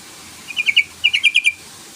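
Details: Calling Yellow-vented bulbul, meant to draw a rival into singing, gives two rapid bursts of sharp, clipped chirps, a trio followed by a quintet, all at a steady bright pitch.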